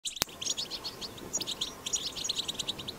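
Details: Wild European goldfinch in a strong 'batbata' song, recorded in the wild and used to stir other goldfinches into singing; fast, continuous high twittering of short chirps and buzzy notes, with a sharp click near the start.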